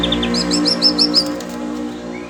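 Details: Oriental magpie-robin, stirred up by the voices of other birds, gives a short burst of quick repeated high whistled notes over a steady low hum.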